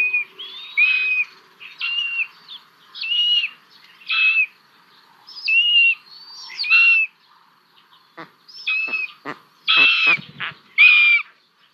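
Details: Hungarian common buzzard chicks begging at the nest as an adult brings a small lizard, 1 June 2022: high, insistent whistled calls repeated roughly every second, later mixed with sharp clicking or rustling taps.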